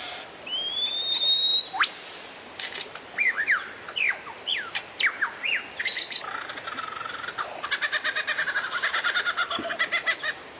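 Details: Oriental magpie-robin song used as a lure to stir other birds into singing: a long rising whistle, then a run of sharp varied slurred notes and a fast rattling series of repeated chips near the end.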